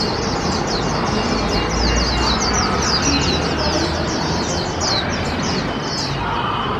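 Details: Continuous high, rapid twitter from a hand-raised warbling white-eye aged 1 year 8 months, taken to a park for its first 2021 outing. Short descending notes tumble together, half-buried under steady noise from a neighbouring outdoor puppet-theatre show.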